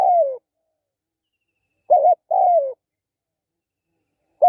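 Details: A spotted dove's call in near silence: a drawn-out falling coo, then after a pause a short wavering note and a longer sliding one, and a further phrase just starting at the end.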